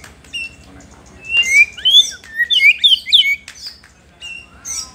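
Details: White-rumped shama singing actively to provoke rival shamas: a burst of loud, varied whistled phrases with quick rising and falling slurs and sharp chirps, delivered in rapid bursts over a few seconds, with quieter chirps before and after.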